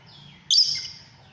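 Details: One loud, piercing squeak from a Fischer's lovebird. The note breaks in suddenly with a bright, high burst, then thins into a fading whistle-like tail. A faint steady hum sits underneath.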